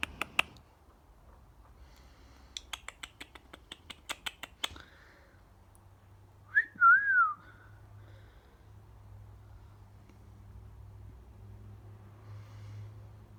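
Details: A one-year-old female cockatiel, heard outdoors and thought by her owner to be trying to talk, gives a short, wavering whistle after a run of sharp clicks and taps.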